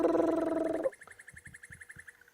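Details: Crested Barbet's fast, even, ringing trill of about ten notes per second after a brief low drone, at sunrise in August beside a small dry riverbed in Sabi Sand, South Africa, with other birds calling around.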